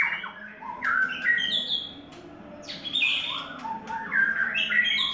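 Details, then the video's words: Song of a white-rumped shama at its third molt: varied whistled notes, some sweeping down and others stepping up, in two bursts separated by a short quiet gap. "White Rumped Shama"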